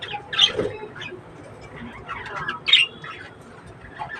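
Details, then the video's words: Budgerigars in a breeding setup: two loud harsh squawks about two seconds apart, with softer chirps between and low background noise. "breeding of budgies birds"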